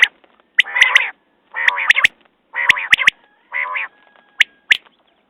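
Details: Quail call with harsh, nasal rasping bursts alternating with short, sharp whistled notes. Pairs of clipped notes stand out near the end, with brief silences between the bursts.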